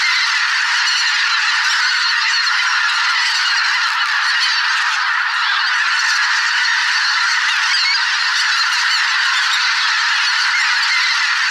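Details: Thousands of migrating geese in a spring swamp, possibly greater white-fronted, bean, barnacle and pink-footed geese: they honk and cackle without pause, countless overlapping calls merging into a dense, continuous roar.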